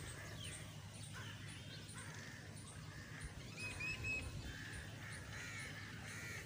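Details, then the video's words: Crows cawing in a rapid, rough sequence of short harsh calls, roughly four a second at times, with one clear whistled note midway and constant low rumble beneath. "crows || crowing sound"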